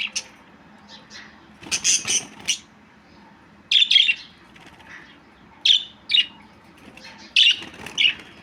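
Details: Budgerigar giving bursts of short, sharp chirps in the high register, clustered in groups of two to four with pauses of about a second between bursts; a faint low hum underneath.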